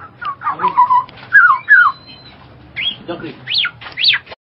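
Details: Black-naped oriole with a short sequence of slurred whistled notes falling in pitch, followed by two sharply rising and falling higher whistles near the end.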